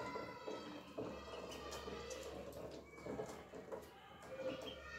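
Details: Three young ducks playing and eating give a steady stream of nasal, harmonic peeping calls that overlap almost without pause, with soft rustling and a low background hum.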